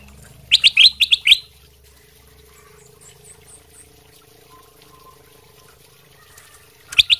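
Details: Sooty-headed bulbul masteran recording for training other birds to sing; a rapid burst of loud sharp whistled notes, a quiet stretch with faint high tinkling and a low hum, then another brief loud burst at the end.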